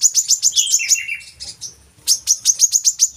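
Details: Brown-throated sunbird song used to coax captive birds into singing: quick sharp high chirps, a dip into lower buzzy notes, a soft fading pause, then another burst of fast piercing chips.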